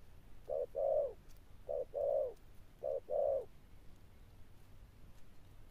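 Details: A wild-caught captive spotted dove (Spilopelia chinensis) gives three paired coos, a short note then a longer rolling one, deep and soft, about a second apart; otherwise quiet.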